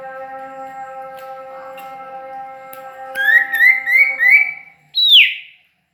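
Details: Bird from Ajibarang, named as sirtu or cipoh, sings four rising whistled notes in quick succession, then one loud slurred whistle, after a stretch of only steady humming background.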